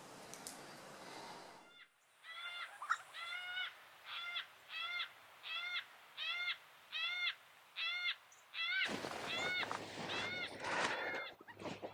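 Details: Wild Yellow-tailed Black Cockatoos in Australia feeding in an introduced exotic pine, cutting and peeling heavy green cones; about ten drawn-out, wailing harmonic calls repeat under a second apart, with loud crackling, rustling bursts at the start and end.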